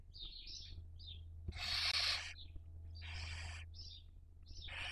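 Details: Barn owl at a nest webcam, Cabañeros National Park, Spain, 2023 breeding season; high squeaky notes lead into two loud rasping hissed screeches, over a steady low hum.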